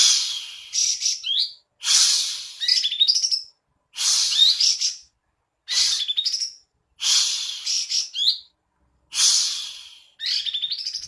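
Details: Cream-vented bulbul, singing busily and fanning its tail, gives a steady run of loud phrases about every two seconds. Each begins with a harsh, rushing burst and ends in quick, rising, twisting whistled notes.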